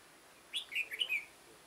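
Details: Single crisp phrase from a red-whiskered bulbul decoy luring wild birds toward a trap, 9 September 2017: four quick, bright, slurred notes rising and falling, over a quiet background.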